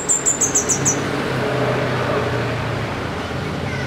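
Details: A wild fire-breasted flowerpecker gives a brief string of five high, thin notes, then only a broad rushing background noise remains.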